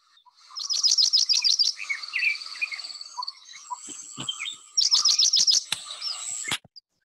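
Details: Paddyfield pipit song, often delivered in a little flight: a fast run of about eight high thin sharp notes, a pause with softer chirps, then a second quick run.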